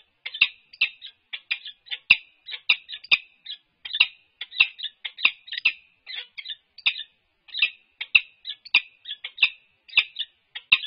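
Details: Harsh chittering from the resident peregrine falcon pair at UC Berkeley during head bowing and nest scrape courtship, 4 March 2022, filmed by livestream camera: rasping notes in paired and tripled clusters, repeated without pause for over ten seconds.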